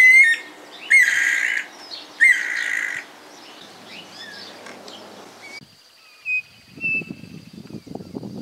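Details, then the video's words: Pigeons and cuckoos of the families Columbidae and Cuculidae, 2018: two loud harsh, buzzy screeching bursts near the start, interspersed with short whistled notes, then quieter thin whistles and soft rustling later. "Cantos y gritos de aves Familias Columbidae y Cuculidae"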